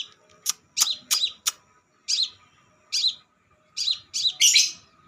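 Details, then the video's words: Crimson sunbird sound played as a bird lure: a few sharp clicks open the clip, then short, high chirps follow about once a second and speed into a dense twittering burst at the end. A faint hum continues throughout. "pancingan burung Kolibri sepah raja"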